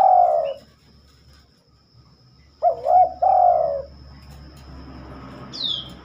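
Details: Spotted dove singing at night, something the bird seldom does: the tail of one low cooing phrase, then a full phrase of two quick hooked notes and a long, drawn-out, falling coo; a brief rising whistle near the end.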